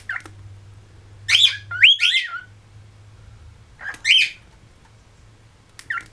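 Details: Caged cockatiels at home in West Newton, Pennsylvania: a few harsh, rising squawks in short bursts, separated by pauses, over a steady low hum indoors.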